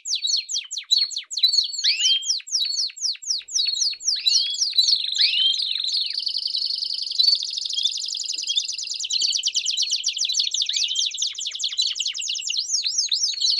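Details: Song of a Belgian canary, meant to warm up a canary: starts with repeated sweeping notes, shifts into a long steady buzzing trill with a faint high tone, then returns to quick curved notes.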